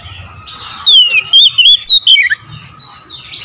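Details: Oriental magpie-robin singing in the morning: one loud burst of clear whistled notes, sliding down then up and ending in a quick falling flourish, over a quiet hiss of background noise.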